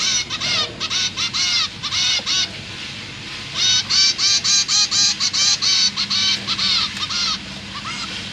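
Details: Zebra finch chicks, newly fledged and newborn, beg for food from parents in captivity, September 2023. A long, steady series of loud nasal pulses, roughly two per second, forming an insistent rhythmic chatter.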